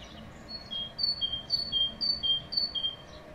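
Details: Tit singing in spring: clear high whistled notes alternating between two pitches, a higher and a lower note repeated in a steady see-saw pattern about every half second, over low rumbling background noise.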